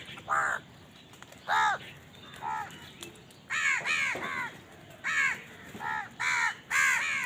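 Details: Several crows squabbling over food give a busy run of harsh, descending caws, some single, some in quick pairs, growing denser toward the end, over steady background hiss.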